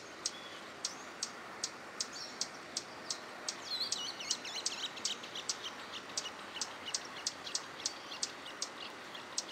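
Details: Swallow-tailed hummingbird singing in a park in Itatiba, São Paulo state, Brazil, morning of 12 August 2017: thin, high scratchy twittering notes around the middle, against a regular series of sharp high clicks and steady background hiss.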